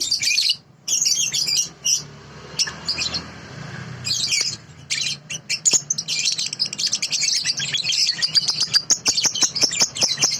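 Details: Sooty-headed bulbul song from a clear original training recording: long runs of thin, rapid, high chattering that become nearly continuous in the second half, with a soft low hum beneath.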